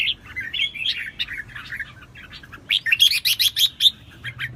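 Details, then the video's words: Red-whiskered bulbul, a newly wild-caught bird, singing intensely in 2024: warbled, whistled phrases around mid-high pitch, then a quick burst of bright, sharp chirped notes repeated in the last two seconds. "chào mào Bổi Hót cĂNG lửa"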